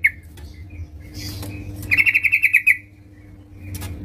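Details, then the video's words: Yellow-vented bulbul singing actively at home, giving a quick run of about ten bright, even, clipped notes. A few soft scattered chirps come before and after, over a low background hum. "terucukan gacor di rumah"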